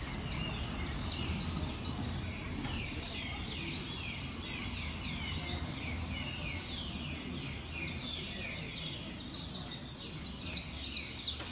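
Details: Long passage of saffron finch competition singing: continuous volleys of high, downward-sweeping chirps at roughly three per second, growing louder toward the end, with steady low background noise.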